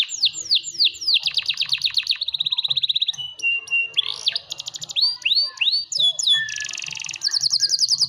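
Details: An award-winning caged competition canary in lively full song. Quick sharp trills and steady rolling chatters alternate with swooping whistled notes and harsh buzzy bursts, all high-pitched and rapidly changing.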